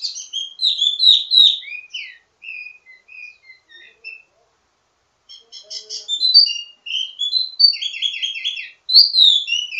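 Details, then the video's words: Varied ledekan song from a wambi mini kept to teach others of its kind: tumbling chirps and slurred whistles, a brief silence, then a dense stretch of trills and sweeping notes. "Ledekan Wambi mini Full Gacor Banyak Vareasi"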